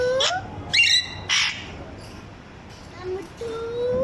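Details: Parrot imitating a small child's voice: a rising voice-like tone, then harsh raspy squawks, a quieter pause, and a longer level tone at the end.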